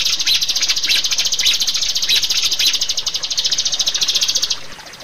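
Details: Rio-rio bird singing for a training recording aimed at caged birds: a fast, continuous high twittering trill of tightly packed notes that ends abruptly near the close, leaving faint background hiss.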